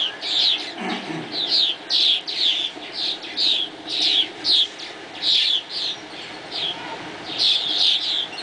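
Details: Swallows flying at dawn, chattering in repeated high chirp clusters about every half second, with a lively, uneven rhythm.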